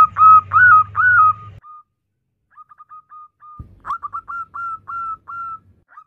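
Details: Female zebra dove calling the male: loud, rapid burst of short whistled coos near one pitch, then a pause and a softer, quicker staccato string of clipped coos, with a low hum under the first notes.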